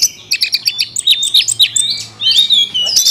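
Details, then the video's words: Kept Oriental magpie-robin singing a quick run of high chirps that rises into bright whistled slurs and a rough, scratchy end. "kacer isian mewah"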